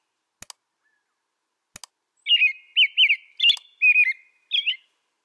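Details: After a few sharp clicks, an American robin delivers five short, liquid whistled phrases, each slurring up and down, evenly spaced over about two and a half seconds.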